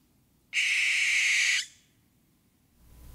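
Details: An owl gives a single harsh, hissing screech lasting about one second, broad and noisy with no clear pitch, against a quiet background.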